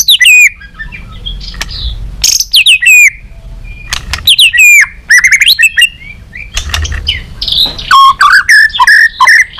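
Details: White-rumped shama song in the balak 6 style, used as a lure for catching birds: loud, varied whistled phrases sweeping up and down, rapid trills and sharp chips in quick bursts separated by short pauses, with faint low hum beneath.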